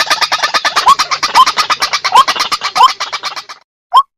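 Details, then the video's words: Indonesian-type white-breasted waterhen giving a rapid run of harsh, nasal croaking notes, several per second, with rising squeals mixed in. The run fades out after about three and a half seconds, and one last rising squeal follows. "Tiếng Chim Quốc INDO"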